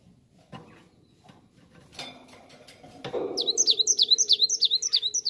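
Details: Cinereous tit song played as a lure to make other birds answer at once: after a few dull knocks and a clatter, a fast run of sharp, swooping high notes repeats about four times a second over the final two seconds.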